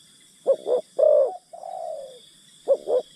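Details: Spotted dove kept as a decoy to attract wild birds, calling a double hoarse coo, a strong rolling coo, then a long softly falling note before the next double coo begins; light steady background hiss.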